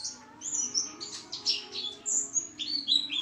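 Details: Energetic pleci song, a dense run of thin, high chirps and quick downslurred whistles packed closely together, the phrases swelling and fading in rapid pulses.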